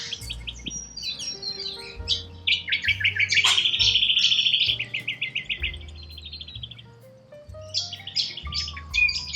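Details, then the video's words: Wild corella cockatoos in Australia, a flock giving harsh, rapid, high screeching calls in dense overlapping bursts, including a long raspy run near the middle, over a low steady tonal background hum. "WILD Corella Cockatoos"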